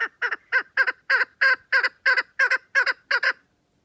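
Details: Loud, close chukar partridge call: about eleven rasping, clucking notes delivered in an even rhythm, three per second, then stopping abruptly into silence.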